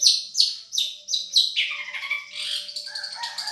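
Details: Long-tailed shrike of the Madura type, a champion-quality songster used as a tutor for other birds: a series of sharp descending high whistles, then denser, warbling chatter that drops lower, with a faint steady hum underneath.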